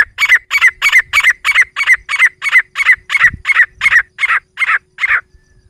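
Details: Female grey francolin calling near Sikar, a sound used in hunting: a steady series of about fifteen harsh, squawking notes, nearly three per second, fading at the end, with faint low rustling beneath.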